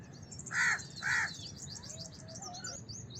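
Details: House crow giving two quick harsh caws, then a rapid run of high twittering from small birds.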